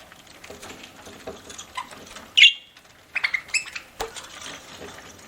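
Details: A budgerigar feeding as a pet lets out one loud sharp chirp, then a quick string of thinner high chirps, over faint pecking and clicking.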